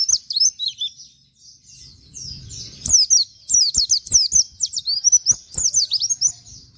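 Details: White-eye singing 'nembak' with canary-style 'wit wit' phrases, meant to train other birds; a long, lively string of shrill, rapidly repeated falling chirps and twitters, punctuated by sharp clicks.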